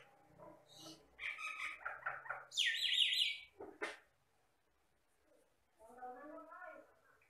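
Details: Jalak Batam myna singing vigorously: a varied run of harsh chattering notes, buzzy bursts and a loud high rasping phrase, then a pause before softer warbled, gurgling notes.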